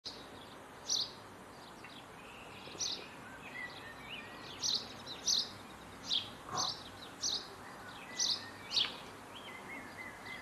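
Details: Bird singing in the morning. High, thin chirps are repeated irregularly about every second, over steady background hiss, with a faint lower note near the middle.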